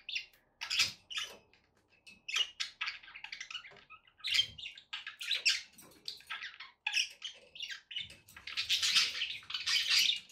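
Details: Chattering pet budgies, several birds, give a steady run of rapid scratchy chirps and buzzy warbled notes, dense and irregular, ending in a louder grating squawky burst.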